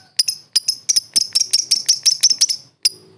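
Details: Lovebird kept as a competition bird, singing a rapid series of sharp, shrill high chirps, about a dozen in under three seconds, each with a bright downward flick, after a brief pause one more chirp; quiet background.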